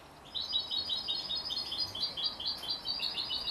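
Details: Thirty-three-day-old hybrid of canary and European goldfinch keeps up a fast, even string of high chirping notes in two alternating pitch bands, almost three seconds without a break.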